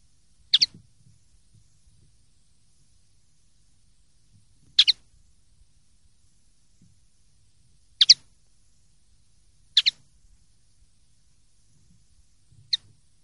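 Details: Common linnet recorded for the 2023/2024 'pardillo limpio' silvestrismo series. Isolated thin, high double clicks come roughly every three to four seconds, very brief and bright, with faint low rumble between them.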